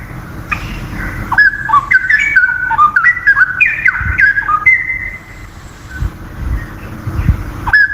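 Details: Wild straw-headed bulbul in lively song: a long, rolling series of loud, mellow whistles slurring up and down, a sustained level note, a quieter gap, then one more bright whistled phrase. Faint low hum throughout.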